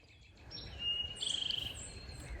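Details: Eastern Towhee in a backyard singing its drink-your-tea song: a clear high note, then a quick bright trill lasting about half a second, over a steady background hiss.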